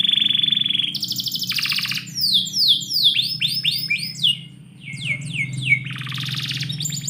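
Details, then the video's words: Indoors on a morning, a canary holds a buzzy tone, switches to a fast trill, then strings together sweeping downward whistles and chirp series, ending in a buzzy roll; low hum beneath. "KICAU BURUNG KENARI - DIPAGI HARI DALAM RUMAH"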